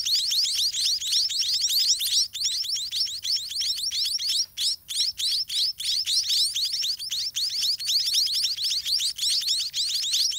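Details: Nestling white-rumped munias, fed by their parents in a garden nest, give an unbroken chorus of shrill, high descending chirps packed tightly together, several chicks calling at once, with short dips near the middle.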